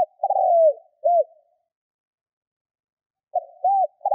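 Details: Spotted dove used as a decoy, cooing 'Thúc' style to provoke wild doves; a long descending coo followed by a short arched note, then after a pause the phrase begins again.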